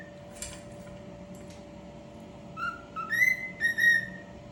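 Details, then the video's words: Cockatiel whistling: after quiet faint chirps, a short phrase of clear rising and level whistled notes in the final seconds, with a constant low hum behind. "#cockatiel #birdsong"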